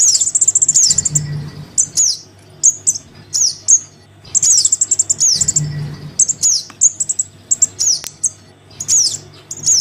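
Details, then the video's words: Crimson sunbird chick calling its parent, a lure sound for sunbirds reluctant to come down: very high, thin downslurred notes alternating with fast dry ticking runs, repeated in bursts over a faint low hum. "Suara pikat [anakan sogon memanggil induknya]"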